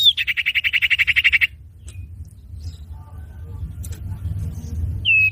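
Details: Common iora as a trapping lure: a fast pulsed trill of about 13 beats held near one pitch for over a second, then a quiet gap with low background hum and one more falling whistle at the end.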